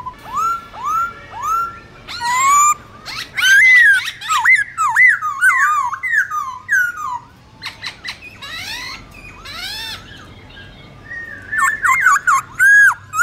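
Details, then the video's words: Black-throated laughingthrush singing wild-type forest song used to train young birds: upswept whistles lead into long, loud, rolling warbled phrases, a quieter pause, then renewed whistled phrases. "Luyện khướu bạc má hót giọng rừng"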